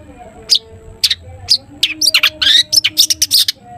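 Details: Long-tailed shrike in lively 'toet toet' song, used as a lure to prompt other shrikes to sing: sharp high piercing notes spaced about half a second apart, then a fast jumble of squeaky, slurred phrases.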